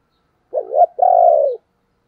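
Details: Spotted dove kept as a calling decoy, delivering a two-part coo: a short wavering note that rises, then a longer smooth coo sliding gently downward.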